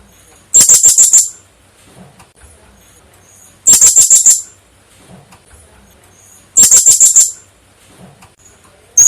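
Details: Actively calling female blue-crowned hanging parrot giving rapid bursts of about six shrill, very high ticking notes, each burst lasting under a second and repeated roughly every three seconds, with near silence between.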